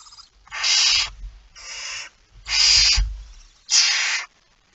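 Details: Four drawn-out, noisy barn owl hisses at the nest while feeding, early morning of 19 September 2019, with soft low rumbling and knocking sounds between them.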